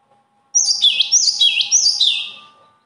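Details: Singing bird: a two-second run of high whistled units, each dropping sharply in pitch then hooking up, repeated three times before the phrase tapers away.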